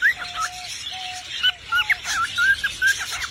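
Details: Parrot singing: a few level, held whistles followed by quick, bright, looping whistled notes in a rapid run.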